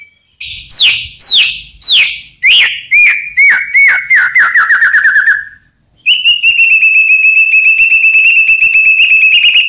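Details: White-rumped shama song played to provoke rival birds into answering: a series of clear downslurred whistles that speed into a fast rapid trill, then a steady high chattering rattle of repeated notes.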